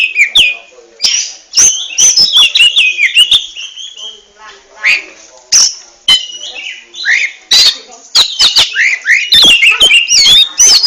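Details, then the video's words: Oriental magpie-robin (kacer) singing in the ngentrok style: varied whistled phrases, rising and falling slurs and quick trills, broken by loud sharp clicks and pauses. "RAJA NGENTROK!!! Kacer super kicau"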